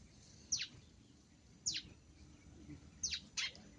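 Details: Long-tailed shrike in lively song: three sharp, high, steeply falling notes spaced about a second apart, the last followed closely by a fourth, over a faint noisy background.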